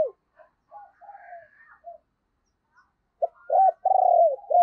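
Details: Lure spotted dove with a deep, thunderous voice, calling to attract wild doves: quiet soft coo fragments, a short silence, then a loud vibrating coo phrase ending in slurred falling notes.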